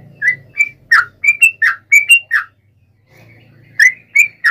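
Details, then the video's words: Fighting song of a yellow-vented bulbul, the provoking 'nggaruda ropel' style; short rich whistled notes, some rising, some dropping, delivered about once a second, a brief pause, then three more notes over a soft low hum. "trucukan gacor TARUNG NGGARUDA ROPEL ini AMPUH MEMBUAT agar burung trucuk gacor NYAUT EMOSI SEKETIKA"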